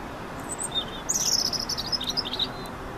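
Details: A European robin sings at Caión, A Laracha, on 15 June 2013: a thin, high, tinkling phrase of quick trills and sliding notes, rising and falling, over a soft, steady background hiss.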